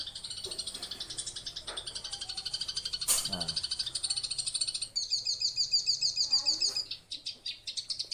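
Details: Eurasian tree sparrow song played from an Android phone recording to tutor a captive long-tailed shrike: a steady stream of high, dry chirps, about three per second, turning brighter and more metallic midway; a short human voice breaks in once.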